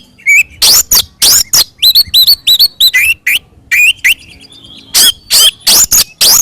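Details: Oriental magpie-robin giving a loud fighting song to provoke other birds: repeated sharp upslurred whistles alternating with harsh rasping bursts, roughly three notes a second, with a soft twittering passage midway.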